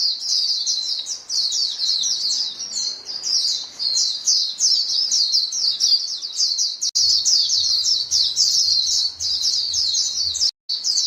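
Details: Flock of white-eyes calling to each other with busy, high-pitched chirping; a low rumbling hum joins after about seven seconds, and the sound cuts out briefly near the end.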